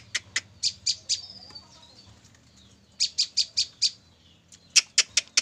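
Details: A female olive-backed tailorbird, wild-caught three days earlier and already singing freely, gives loud, sharp, high chips in quick bursts of four or five notes, about four a second, with short pauses between bursts.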